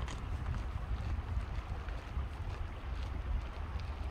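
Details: Wind buffets the microphone over a low rumble of moving water, with no distinct calls.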